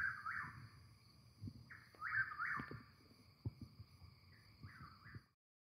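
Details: Chuck-will's-widow (Antrostomus carolinensis), song.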